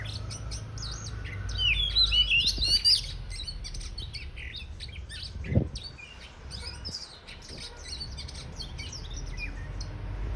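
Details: Oriental magpie-robin preparing to spread its tail, giving a dense, rapid run of chirps, twittering and sharp high notes, loudest early on and then continuing in softer busy chatter, with a single thump midway.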